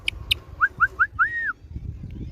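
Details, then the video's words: Indian ringneck parakeet kept as a pet giving a run of four short rising whistled notes followed by one longer arched whistle, with two sharp clicks at the start. "Sounds of Parrot"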